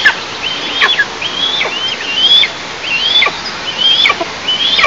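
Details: Eastern imperial eagle nest, recorded by a nest camera on 11 July 2024 at 09:14. About seven high, drawn whistles, each slurring sharply downward, come at roughly half-second to one-second intervals.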